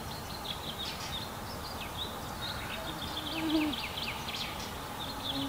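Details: Fledgling fieldfare (Turdus pilaris) perched on a twig awaiting its feeding parents, Kalinovsky forest park, Yekaterinburg, 29 May 2020, gives short, high chirps in quick, uneven runs over a steady outdoor hiss and faint low hum.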